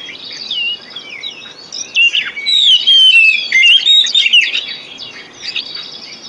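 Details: White-rumped shama song played to stimulate singing in other birds: scattered chirps building to a loud burst of varied whistled phrases and trills, then softer notes.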